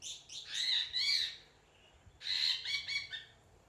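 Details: Parrot giving raspy, buzzy chattering squawks in two bursts separated by a brief pause, each burst a tumble of harsh, noisy notes with a faint low hum underneath.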